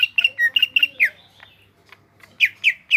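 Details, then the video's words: Greater green leafbird kept in captivity in Indonesia, heard singing fast chirped notes that drop away to quiet, and then three loud downslurred calls. "BURUNG CUCAK IJO GROPYOKAN GACOR"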